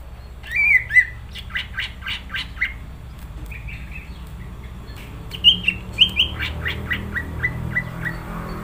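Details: Greater green leafbird in gacor song, mixing clear whistled slurs with harsh squawking pulses repeated in rhythmic series, then bright upslurred whistles and softer chatter, over low background rumble.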